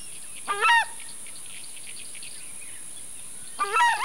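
A Southern screamer gives two loud, brassy, goose-like honks about three seconds apart. Faint chirps from other birds and a steady high insect whine sit underneath.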